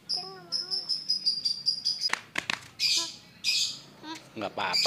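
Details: Yellow-eyed white-vented myna, tame and able to talk, opens with a row of thin whistled notes, then breaks into loud rasping squawks and clicks.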